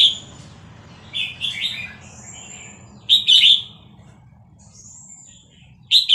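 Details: Caged Vietnamese red-whiskered bulbul, quick to string song phrases, singing excitedly along to a played recording of hatched chicks. Short, rich warbled bursts come in at the start, near two seconds, three seconds and six seconds. Thin, drawn-out high whistles sound between them.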